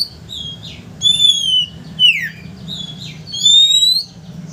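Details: Oriental magpie-robin singing to goad a rival into opening its tail: long clear whistles, some sliding downward and one rising, mixed with short high warbled notes.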